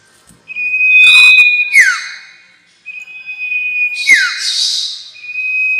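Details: Sirtu lure sound for bird trapping: a held high whistle with two harsh, rattling bursts, each ending in a quick downward-sliding note.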